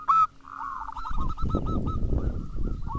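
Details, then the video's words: Zebra dove song meant to set off other local and crossbred doves: a brief loud note, then a long run of quick, soft coos over a steady low rumbling background. "Pancingan perkutut lokal maupun crosing (TERAMPUH BIKIN BUNYI)"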